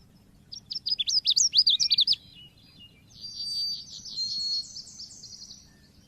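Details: Oriental white-eye lure recording: a lively run of about a dozen sharp, high, rising-and-falling chips lasting over a second, then a longer, softer series of buzzy high notes sliding slightly downward.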